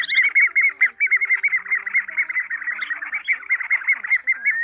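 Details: Migratory Pacific golden plovers, recording used for night net-trapping lure in August 2024: clear, slurred whistled notes repeated rapidly, two or three per second, overlapping as if several birds, over a faint low hum.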